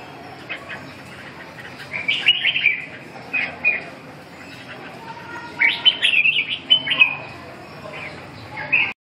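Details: Red-whiskered bulbul practising its song, giving scattered short whistled and chirping phrases separated by quiet gaps of a second or more, with a few louder clustered notes and faint rustling behind.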